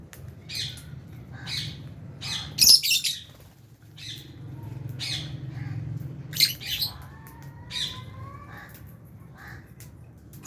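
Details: Fisher's and albino lovebirds feeding in an aviary with budgies make repeated scratchy chirps and one louder shriek, with a few thin whistled notes and a constant low hum behind.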